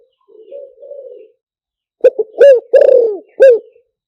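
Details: Spotted dove luring call. A low, soft, drawn-out murmur is followed by four strong, hollow coos, the third longest and falling at its end.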